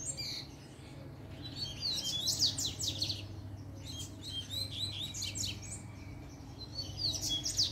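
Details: Double-collared seedeater singing a puxada sequence that calls rivals to fight. Three bursts of fast, bright, zigzagging high notes are separated by short pauses, set against a low steady hum.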